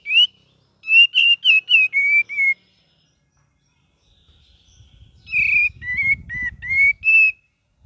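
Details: Cream-vented bulbul giving varied ngeriwik song: quick runs of clear whistled notes in two bursts, each note slightly bent, separated by a silent pause, with faint low rumble behind the second run.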